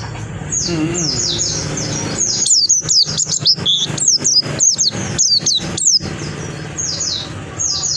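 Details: White-eye in lively, strong song: high thin downslurred notes and quick twittering phrases, dense in the middle, with a low background hum.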